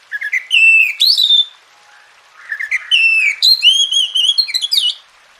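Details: Oriental magpie-robin song played as a tutoring track for quiet birds: two loud bursts of bright, sliding whistles with ringing overtones, separated by a brief hush.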